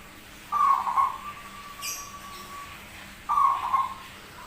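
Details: Unusual-voiced zebra dove, called rare and singing often: two rolling, pulsing coos nearly three seconds apart, the first trailing into a long steady tone. A sharp click falls between them.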